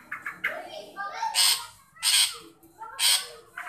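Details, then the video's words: Long-tailed shrike calling to coax a shy shrike into voicing: soft chattering notes build into three loud, grating, scratchy bursts about a second apart, then a brief rough note at the end. "Burung pentet memanggil untuk pentet yang malu bunyi"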